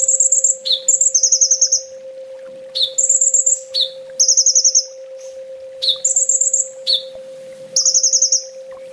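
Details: Sunbird master song for training: bursts of rapid, very high trilled notes, each opening with a short lower chip, repeated in phrases about every one to two seconds over a steady low hum.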